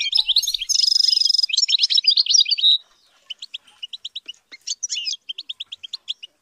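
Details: European goldfinch in song training, delivering a long run of rapid chirps and a harsh buzzy rattle, followed by a pause and then evenly spaced bright twittering notes with a short whistled slur.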